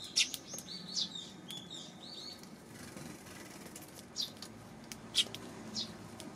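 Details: Sparrows recorded on June 19, giving short high chirps in scattered bursts, a quick cluster early on then single notes spaced about a second apart, over a soft background hiss.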